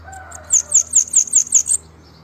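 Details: White-lined tanager singing a quick series of six or seven piercing, very high downslurred notes, evenly spaced and delivered in under two seconds, over a low steady background hum.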